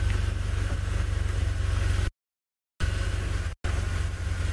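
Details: A safari vehicle's engine idles with a rapid, pulsing low throb during a sunset drive, broken by two short cuts to silence, with no animal sound.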